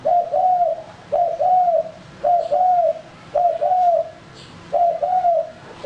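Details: Male spotted dove used for luring birds, calling a repeated two-note coo about five times, roughly once a second. A brief lead note runs into a drawn-out, gently falling coo over quiet background hiss.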